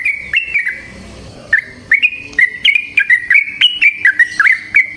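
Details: Yellow-vented bulbul with a lure song in the long rolling style: an opening flurry, a brief silence, then a steady chain of liquid, chattering whistles, each note slurring downward.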